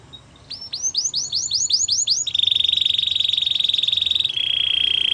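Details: Belgian canary singing: a run of about eight quick rising whistled notes, then a long, fast, buzzy trill held at one pitch, ending in a slightly lower rolling trill.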